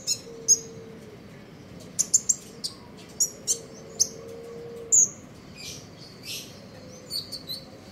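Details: In the morning a common iora sings trotol ngeriwik style. Clipped high chirps come in short clusters, including one longer whistled note, followed by softer trilling twitters against a low steady drone.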